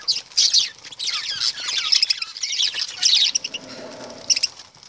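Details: Lovebirds chatter in a loud, rapid run of high twittering squeaks, then drop to scattered quieter chirps with a soft low hum behind.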